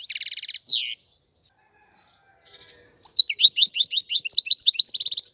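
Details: European goldfinch: a buzzy trill and a harsh downslurred note, a quiet gap of about two seconds, then a bright rapid sequence of high twittering chirps ending in another buzzy trill.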